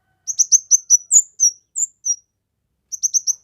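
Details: Kemade singing strongly, for training songbirds and luring wild birds; a fast series of high chirps mixed with short whistled notes, a pause, then another quick run of four chirps.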